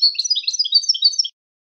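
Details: A European goldfinch sings a fast, bright burst of high twittering and tinkling chirrups lasting just over a second before falling silent.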